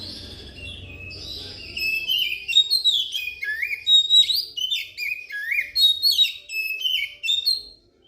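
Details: Oriental magpie-robin lure song meant to provoke quiet magpie-robins into singing and to attract birds for trapping: rich, varied whistles with sweeping slurs and sharp chips, delivered in loud bursts for about six seconds after a quiet opening.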